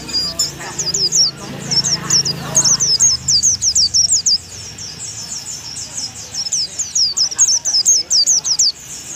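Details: Oriental white-eye from Thailand, described as unusual and albino, singing a fast, high twittering series of short sweeping notes in rapid bursts, with low murmuring voices early on.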